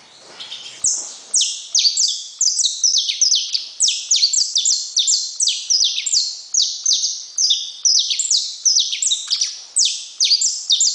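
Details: Saffron finch singing a long, unbroken run of sharp, high chirps, each sliding steeply downward, delivered in quick overlapping bursts with hardly any pause across the whole passage.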